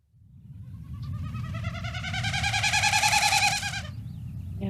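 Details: Wilson's snipe (Gallinago delicata) winnowing, a spring display flight over marsh or pond made by the outer tail feathers: a hollow, rapidly pulsing hoo-hoo-hoo swelling for about four seconds over a low rumble.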